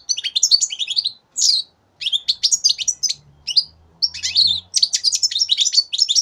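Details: A three-month-old European goldfinch hatched in 2015 sings a rapid, tinkling jumble of high twittering notes and liquid trills in quick bursts, with a faint low hum underneath.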